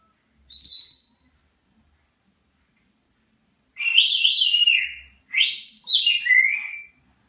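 A grey parrot gives a short clear whistle, then two longer warbling whistles that slide up and down, high-pitched and tonal, with nothing else heard.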